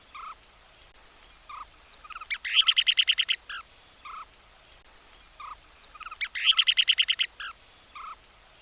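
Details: Kentish plover, a rare Dutch breeding wader whose sound few Dutch birders recognize: soft scattered notes leading into a quick, high, rattling trill of about a dozen notes, given twice about four seconds apart.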